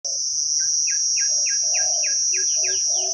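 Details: Spotted dove, a deep-voiced wild bird, cooing during decoy trapping in Thailand: short low hoarse coos between rows of bright descending chirps from another bird, with a steady high insect buzz throughout.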